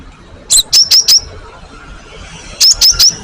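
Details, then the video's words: Java sparrow, given as a lure recording to draw replies from old and young birds: two bursts of three to four sharp, high chirps around 0.5 and 2.6 seconds, separated by quiet, against a faint background hiss. "GELATIK BATU GACOR ??? SUARA masteran burung AMPUH"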